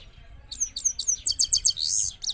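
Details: Trained Himalayan goldfinch from Parachinar, recorded in Kabul, Afghanistan, in 2022, singing a quick high-pitched burst of twittering, sliding chirps that build into a dense trill over about two seconds.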